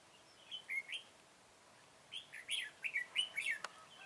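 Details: Red-whiskered bulbul, recorded on 21 September 2017 during trapping of a flock leader with a decoy bird. Quick, lively warbled phrases of rising and falling chirps, with a single sharp click near the end.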